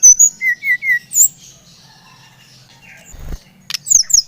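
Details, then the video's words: Brown-chested jungle flycatcher from Bali, played to stimulate another bird to sing: a run of four descending whistled notes, a quiet gap, then high sharp notes near the end. "Kicauan SRDC Bali Gacor Merangsang srdc Bahan agar cepat Ngeplong Gacor"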